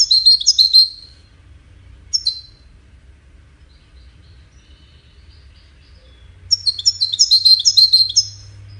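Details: Goldfinch song for courtship and communication: a brief tumbling twitter, a single sharp note, a long quiet gap, then a lively cascade of high, tinkling musical notes.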